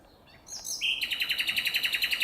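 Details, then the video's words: In nature, a common nightingale gives a brief whistle and then a fast, steady trill of identical rich notes repeated roughly sixteen times per second, loud and rhythmic, with a calm background. "شاهد تغريد طائر العندليب فالطبيعة"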